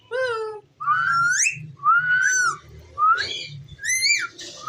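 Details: Talking ringneck parrot indoors, repeating slurred whistles: a falling note, then long rising-and-falling whistled phrases about once a second, some ending in a sharp upward squeak.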